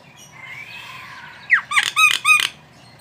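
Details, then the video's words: Javan myna: a soft rising-falling whistle, then a steep downslurred squawk followed by three loud harsh buzzy notes in quick sequence. "SUARA BURUNG JALAK KEBO GACOR"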